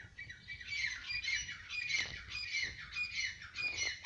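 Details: Francolin, known as Irani tetar or yellow francolin, giving harsh, squawky, overlapping calls in rapid succession over a steady low rumble, with noisy bursts and a faint hiss throughout.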